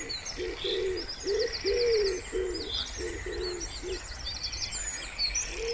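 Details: Wood pigeon calling beside a still pond in spring: a run of low, soft hooting coos in a rhythmic phrase, with thin, high chirps and trills from small birds overhead.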